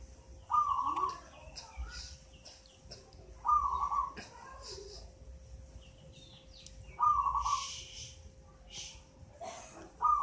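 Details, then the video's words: An eight-month-old local zebra dove, found as a nestling in a mango tree, sings eagerly: four quick stuttering coo phrases at irregular intervals, with other small birds chirping faintly behind. "Perkutut lokal umur 8 bulan sudah rajin bunyi"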